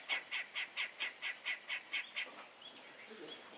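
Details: Morning singer in Capilla del Monte, Córdoba, Argentina: a run of about nine even, somewhat harsh notes, repeated about four times a second, followed by a few soft thin whistles.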